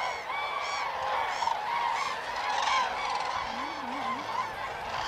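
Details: At Hornborgasjön in Västergötland, April 2009, common cranes dance and call. Loud, harmonic trumpeting rises above a crowded chorus in repeated rolling bugles, while a low wobbling tone loops briefly near the end.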